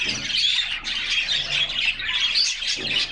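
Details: A group of canaries in their cage, singing and playing on a summer day, picked up by a camera fixed inside the cage; bright overlapping chirps and short warbled phrases run steadily throughout.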